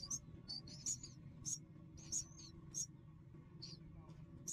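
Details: Three hungry baby birds begging for food: short, high, thin chirps and squeaky whistles, some with brief sliding notes, given in irregular bursts roughly every half second over a steady low hum.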